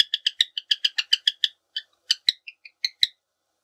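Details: A cockatiel sings in the quiet after-lunch rest time beside a dozing companion, as if singing her a lullaby: a fast run of bright, chirpy whistled notes, about six a second, then a pause and a few slower, varied notes.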